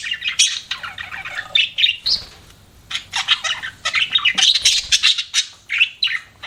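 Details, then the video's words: Budgies chirping as pets, rapid scratchy high chatter and squawky notes in quick succession, with a short lull midway before the busy twittering resumes. "BUDGIES CHIRPING SOUND"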